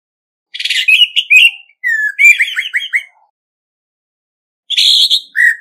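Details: Competitive song of a male Orange-headed thrush from Vietnam: varied whistled and buzzy phrases, including a clear downslurred whistle and a series of quick slurred notes, then a pause before a further burst, with no other noise.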